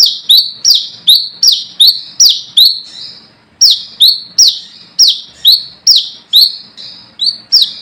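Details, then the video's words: Brown-throated sunbird calling rivals as a lure: long runs of loud high chips, each falling then rising, nearly three per second, with one short break midway. "Manggaran Ngalas Gacor"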